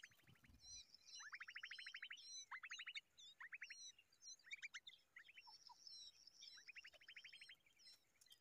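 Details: Common babbler raising a young bird: repeated rapid rattling trills, each a fast run of sharp notes lasting under a second, given several times in a row over a background of high, squeaky chirps.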